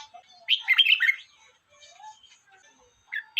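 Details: Red-whiskered bulbul giving one brisk, jumbled warbling phrase of several rapid notes, followed by soft, faint sounds and the start of another clipped note at the end.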